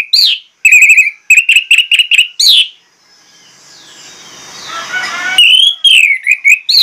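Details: Orange-headed thrush singing loud, persistent phrases: bursts of bright whistled notes with sweeping slurs near the top, a steady run of short repeated chirps, then a hissy pause before sharp descending whistles resume.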